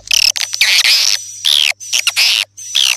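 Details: Swiftlet calls: short bursts of shrill, buzzy twittering. Some notes slide downward, separated by brief pauses, over a faint steady low hum.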